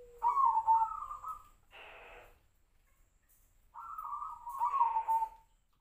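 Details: Tejoanom zebra dove: two bubbling, rolling coo phrases about three seconds apart, the second longer and gently falling, with brief hissy bursts of noise after each.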